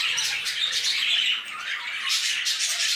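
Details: Budgerigars in an aviary, a flock giving dense, continuous high chirping and warbling chatter with scratchy, overlapping notes and no pauses.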